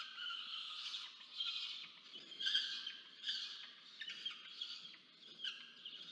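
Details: Peregrine falcon nestling in Orange, New South Wales, Australia, filmed by a research nest camera on 13 November 2022, begging its parent for food: fainter, strained wailing cries rising and falling in uneven pulses, roughly once a second.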